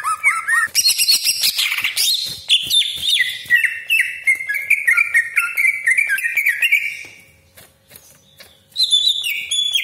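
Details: Cucak ijo, the greater green leafbird, singing a long varied roll meant to excite rival leafbirds; rapid twittering and looping whistles step downward, a quiet pause follows, then bright chirps resume.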